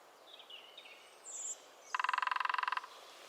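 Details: Lesser spotted woodpecker in the New Forest drumming: one even, rapid roll of about seventeen hard taps lasting under a second. Thin high bird notes come before it.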